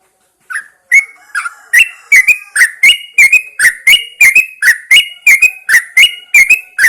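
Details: Yellow-vented Bulbul kept in a cage and placed outside at dawn to encourage song, delivering a steady run of bright, slurred whistled notes, about two per second, some rising, some falling.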